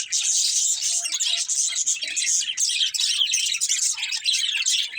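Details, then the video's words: Several budgies in a family group chirping together, a thick unbroken wash of rapid twitters, warbles and scratchy notes with no pauses. "Cute Budgies Chirping Sounds"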